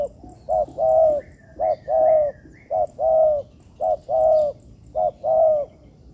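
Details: Spotted dove, a practice bird kept in an artificial yard, repeating a steady two-part coo: a brief clipped note, then a longer mellow one. It comes about five times in a row, with soft bird twitters behind.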